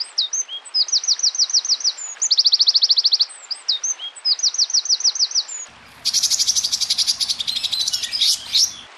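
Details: Small songbird from a master compilation for training competition birds: slurred whistles and short series of upswept notes, a fast whistled trill, then a long harsh, buzzy rattling chatter in the last three seconds.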